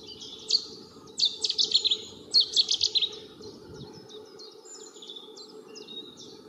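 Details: A pair of long-tailed tits building their ball-shaped nest with feathers during the spring breeding season, filmed from a distance, giving thin, very high calls in quick bursts of three or four, then softer scattered notes, over a faint low hum.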